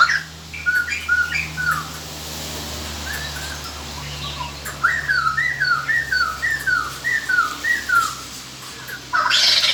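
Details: ['White-crested laughingthrush decoy song used to lure wild birds: opening whistled notes, then a rapid run of short, downslurred whistles repeated about four per second. A steady low hum and background noise run throughout.']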